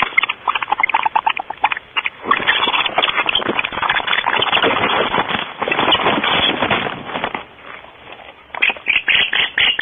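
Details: Barn owls in a nest box at Starr Ranch, recorded at 5:45 am on 5 August 2013. Harsh, hissing broadband screeches come in long rasping bursts, with a short pause near the middle and sharp clipped rasps returning at the end.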